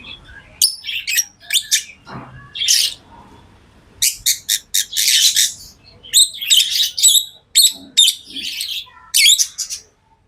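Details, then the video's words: Tame pet lovebirds chirping: bursts of shrill, harsh high chirps in quick clusters, broken by short pauses, with one lower rasping note near the start and a few faint low sounds underneath. "Love birds Sounds | lovebirds chirping sounds| parrot beautiful sounds"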